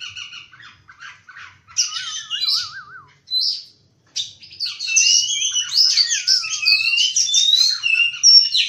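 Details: Oriental magpie-robin singing in the morning: a varied run of high, sweet whistled phrases and short chirps, with quiet gaps between bursts and a lower wavering, rippling whistle drawn out near the start and end.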